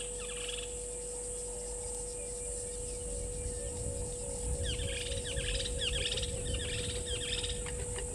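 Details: Red-billed buffalo weaver at Gowrie dam waterhole, Djuma Game Reserve, Sabi Sand Wildtuin, South Africa, 27 November 2019: a short chirpy burst near the start, then a run of quick, scratchy chattering notes over a steady background hum.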